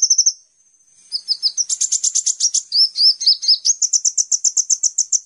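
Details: Sunbird known locally as kolibri ninja, a master recording for training songbirds: very high, thin chirps and twittering notes in rapid runs, with quick zigzag trills and an even series of sharp repeated tweets near the end.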